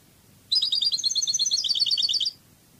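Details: European goldfinch in the Spanish Cadiz song style, one continuous fast trill of rapidly repeated high twittering notes lasting nearly two seconds.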